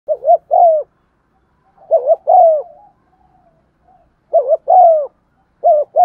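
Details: Spotted dove (cu gáy), a lure bird cooing in the 'giọng son' style to stimulate other doves: four mellow phrases, each of quick hooked coos then a longer drawn, slightly falling note, separated by short silences.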